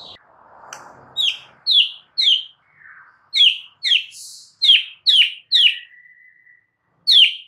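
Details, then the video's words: Song of a White-rumped shama, used to coax a quiet bird into singing. Bright, high whistled notes come in separate bursts about half a second apart, with a long level whistle and a faint rustle early on. "jadikan Murai BISU seketika NYAUT dalam HITUNGAN DETIK"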